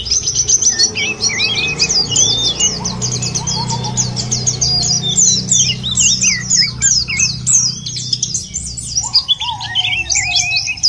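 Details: White-eye used as a lure to make birds sing: dense, rapid high twittering with quick rising and falling whistled notes, several birds overlapping, plus lower slurred whistles from other birds and a low background hum.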